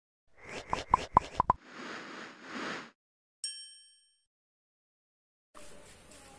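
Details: A quick run of sharp plops and taps, a rustling burst, one ringing metallic chime that fades, then steady hiss, with no animal voice heard.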